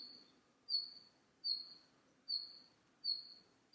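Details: Red-flanked bluetail calling in the wild: a thin, high, level whistled note that fades out, repeated about every 0.8 seconds, against a quiet background.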